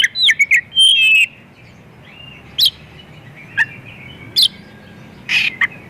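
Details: White-rumped shama singing a varied lure song for other shamas: a quick cluster of whistled and buzzy notes at the start, then spaced single sharp chirps and a rasping burst.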